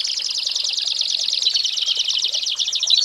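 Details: Continuous rapid pulsed trill from an American Singer canary in a tutor recording for training young birds, high and even, with a brief clear whistle near the end.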